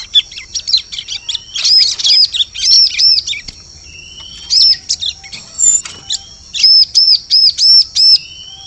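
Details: Bar-winged prinia lure call for catching birds in forest: quick high chirps and arched ringing notes in series, a faint rising whistle, ending with a steady run of arched notes.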